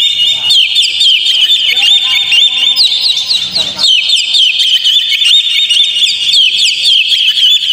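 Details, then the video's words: Oriental magpie-robin song meant to stir a kept bird into singing: rapid bright whistled notes throughout, overlaid for a moment by a lower, buzzy, harmonic call before the high chatter carries on. "PANCING KACER PLAY ON"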